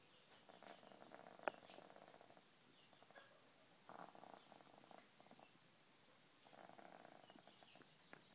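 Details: Sick Easter Egger hen on antibiotics for an upper respiratory infection, with coughing, sneezing and nasal drainage, trying to sleep: raspy, rattling snore-like breaths in three drawn-out bursts about three seconds apart, quiet between, with a sharp click.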